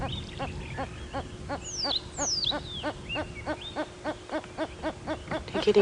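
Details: Male red-crested korhaans at sunrise, taking turns to call while racing, running and sitting down in display, possibly holding back because no female is present. A steady series of sharp clicks repeats about three times a second, with a few descending whistles above.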